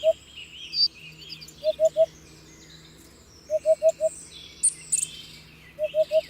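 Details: Soft, low 'oop-oop-oop' hooting of a hoopoe in repeated groups of three or four notes, about two seconds apart. Other birds give high whistles and sharp chirps in the background.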